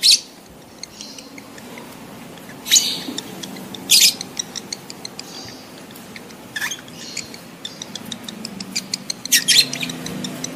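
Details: Lovebird in breeding condition calling to mate: repeated short, harsh, high-pitched screeches every one to three seconds, with softer chattering clicks between them.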